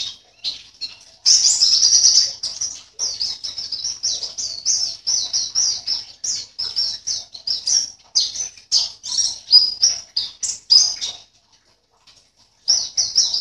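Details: A caged white-eye from Sambas, West Kalimantan, entered in an online song contest, pours out a fast, high, jumbled twittering song of thin chirps and trills, barely pausing, with a brief break near the end.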